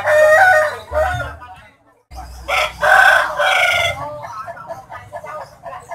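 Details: Big, striking rooster at Gawok market, Sukoharjo, Indonesia, whose unusual crow is likened to calling Jokowi's name: two short harsh crowing bursts a couple of seconds apart, among people talking and market noise.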